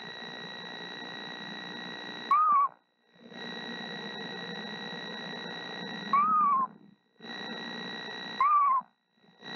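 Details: Incubating female screech owl sings to her eggs in late March: three brief, soft quavering notes spaced a few seconds apart, each slightly falling, over a continuous low hum.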